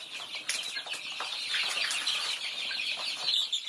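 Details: Thai baby chicks feeding amid wing flutters and rustling; high thin peeps continue under a noisy, broadband scuffle, with a sharp knock near the start.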